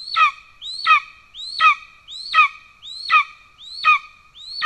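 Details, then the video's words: Golden eagle at a nest in Estonia on 17 July 2024, as the father arrives with a pigeon. A loud rising-then-falling squealing call with ringing harmonics repeats steadily about every 0.7 seconds. No other sounds. "Kaljukotkas 2 : Golden Eagle- Orzeł przedni"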